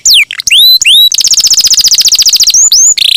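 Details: Canary in full song, a champion long-roller used as a training master for songbirds: swooping down-slurred and up-curled whistles, then a long rapid rolling trill of bright beaded notes, ending in short rising whistles.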